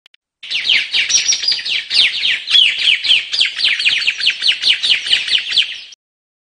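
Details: White-capped tanager song: a dense, unbroken stream of rapid, high, downslurred notes pouring out for about five seconds with a pulsing loudness, then stopping abruptly.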